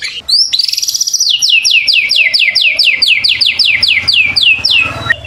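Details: Singing white-rumped shama, used to trigger song in other shamas: one high whistle, then about seventeen identical sharply falling notes repeated rapidly and evenly for roughly four seconds.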